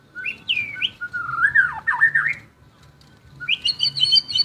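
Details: Bold white-rumped shama song: sweeping high whistles lead into a fast warbling, twisting phrase, then after a pause a ringing series of repeated high notes.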